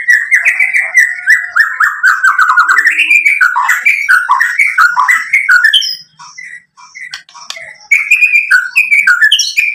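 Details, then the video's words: Loud, varied song of a white-rumped shama, played to provoke other shamas: rapid rolling whistles and chattering phrases, a quieter stretch midway, then renewed fast whistling. "SUARA MURAI BATU memancing EMOSI jadi BUNYI NYAUT GACOR BONGKAR ISIAN"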